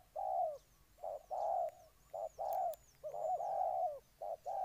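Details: Spotted dove in Ninh Thuận, Vietnam, uttering gentle low coos, each short note followed by a longer drawn one. Faint high whistles and a couple of clicks are audible.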